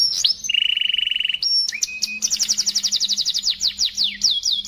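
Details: Crystal-voiced canary song used to train other birds: high whistled slurs, a steady rapid trill for about a second, a pure held note, then a long series of fast falling sweeps gradually spacing out.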